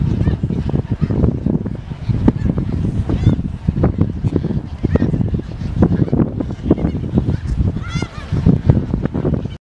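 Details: Snow geese flock in Dare County, North Carolina, USA, in January 2017, giving continuous overlapping honks, with a few higher, clearer yelps standing out near the end above a low rumble.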